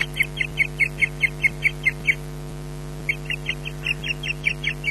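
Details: Female osprey at a nest in Scotland, loudly calling at the male who flew in to mate without bringing fish: a rapid series of shrill, piercing whistled notes about four per second, a brief pause, then more, over steady electrical hum.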